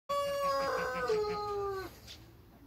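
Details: Light Brahma rooster crowing in a backyard alongside other roosters: a long sustained harmonic note, held steady and then sliding slightly lower before breaking off, followed by faint background noise.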